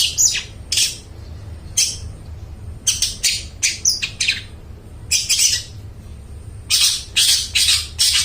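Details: Long-tailed shrike singing, a recording meant to lure and train mute shrikes: harsh, broadband squawking notes in short bursts, some rapid and clustered, separated by brief pauses, over a low steady hum.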